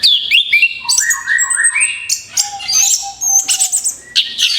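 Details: Orange-headed thrush singing in a rapid-fire burst meant as a lure for other birds: descending whistled slurs, then clear rising notes and high chattering phrases, over a faint steady hum.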